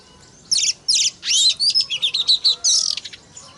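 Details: Oriental magpie-robin song used to stir other magpie-robins: two short rasping chirps, then a swelling whistle and a quick chain of sharp, bright chattering notes, about two and a half per second.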